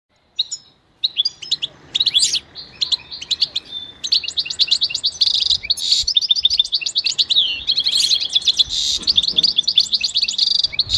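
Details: Goldfinch singing in a quiet setting, song used for training other goldfinches: a long, fast, twittering run of high tinkling notes, buzzy trills and sliding whistles, almost continuous after a brief opening pause.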